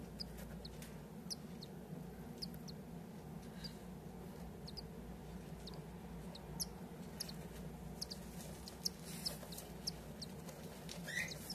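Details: A cockatiel (Nymphicus hollandicus) chick about six days old gives thin, high, scratchy peeps in short bursts, roughly one or two a second, over a steady low hum.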